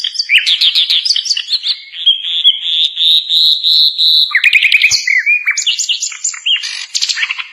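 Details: Asian brown flycatcher tutor song for other songbirds to learn: rapid squeaky chirps, a long wavering high warble, then a burst of clicking notes and a jumbled string of whistles and chips.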